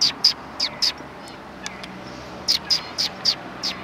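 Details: Sparrows at a Tenmangu shrine, recorded 3 January 2020, utter sharp high chirps in two quick bursts of four notes separated by a quiet pause, with steady background hum.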